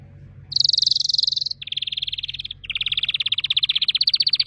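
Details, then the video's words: Canary song made of dense buzzy trills: a high rolling trill, a lower one, then a long rising rapid trill. "Canary singing"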